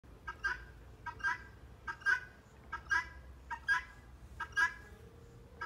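A female helmeted guineafowl gives harsh, two-part calls, repeated about once every second.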